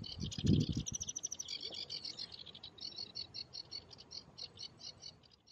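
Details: On Sylt in June 2023, a sedge warbler gives a fast, dry chatter of high, scratchy notes, settling into an even series of about six notes a second. A low rumble of wind opens the recording.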